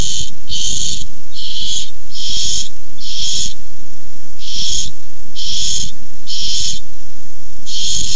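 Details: On a barn owl nest camera during a food fight over a tiny mouse, 6-4-15: about eleven short, breathy rasps in a steady, fast series, with occasional soft clicks.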